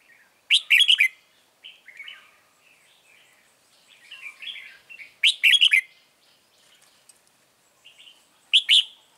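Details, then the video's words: Red-whiskered bulbul kept as a lure in a trap repeats short, loud, ringing warbled phrases roughly every three to four seconds, separated by soft, scratchy chattering. "Bẫy chào mào Bổi HB lăng xăng cực gắt"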